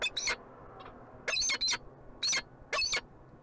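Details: Peregrine falcon in Montreal, Canada, giving short harsh, rasping calls in four separate bursts, the last three louder and spaced about a second apart, over faint low background hum.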